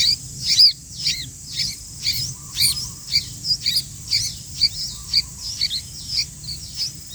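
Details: Sooty-headed bulbul: sharp, bright chirps repeated about twice a second, each a quick high note with a short downward tail, over a faint low background hum.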